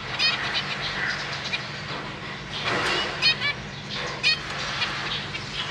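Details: Zebra finch family in a cage on 31 March 2023, with parents busy feeding three juvenile and three newborn chicks: several brief, nasal, stacked beeping calls spaced a second or so apart over steady low hum and rustle.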